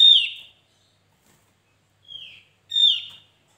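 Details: Javan grey-throated white-eye, recorded as a lively lure or tutor track for the species: three clear downslurred whistles, each sliding from high to lower pitch, two loud ones framing a softer middle note, in silence.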